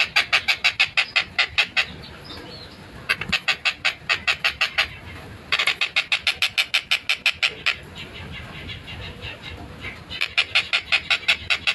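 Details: Long-tailed shrike (tengkek buto) in vigorous, clear, fast tight-tempo song, recorded 14 December 2025: bursts of harsh, buzzy, broadband notes repeated rapidly, about three per second, in runs separated by brief pauses.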